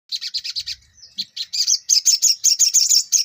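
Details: Ruby-cheeked sunbird in lively full song, a run of rapid high chirps repeated in quick bursts, then a brief pause and a faster string of sharp, buzzy high notes.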